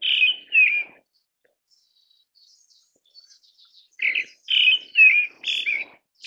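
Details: A Pale thrush (Turdus pallidus) gives harsh, burry call notes: two at first, then a faster run of five, with thin high notes between them in a quiet gap.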